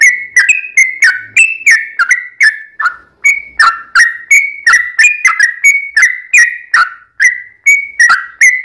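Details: Sooty-headed bulbul, long looping song played to coax other birds into answering: steady run of quick, clear whistled notes that dip and rise, roughly three each second, with no other sounds.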